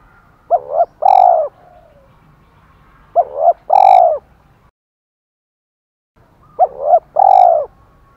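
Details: Spotted dove kept as a decoy bird, singing in the 'thổ pha' style. Three coo phrases come about three seconds apart, each a quick two-part note and then a longer, smooth low coo. There are brief gaps of silence.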